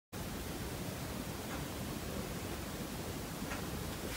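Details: Even, rushing broadband noise like a roaring fire or waterfall that starts abruptly and holds steady, with no animal sounds.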